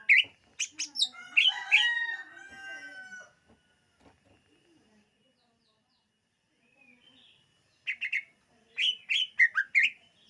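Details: Song of a greater green leafbird, used for luring birds: a rich rush of mixed chirps, whistles and rattles, a quiet gap, then a series of sharp varied chips and short whistled notes.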